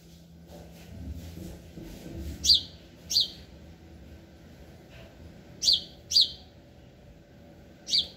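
A house sparrow gives short, bright chirps, mostly in quick pairs about a second apart, over a low background hum.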